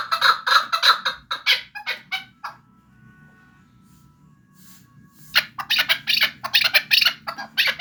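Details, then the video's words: Chukar partridge from Vanj calling in rapid harsh chuk notes with bright overtones, a run of about a dozen, then a quiet gap holding faint thin tones, then another fast burst of chuk notes. "Кабки Ванҷ"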